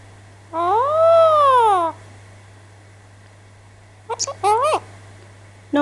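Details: Male pet Alexandrine parakeet at home, vocalizing while its owner talks to it. A drawn-out, rich, arched cry lasts over a second, then comes a silence. It ends with a quick cluster of short sharp notes and a rising-falling squawk over a steady low hum.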